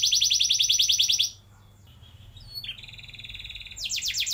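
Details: Canary song played to spur young canaries into long rolling song: a rapid, even, high trill, a short silence, a few thin whistled notes with a sustained tone, then the quick trill returns.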